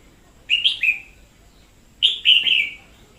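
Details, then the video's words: Red-whiskered bulbul in 2021, a decoy bird in full voice, delivering two bursts of bubbling, slurred whistles, each of two or three linked notes that fall slightly at the end. "Chào Mào mồi chóe cực sung"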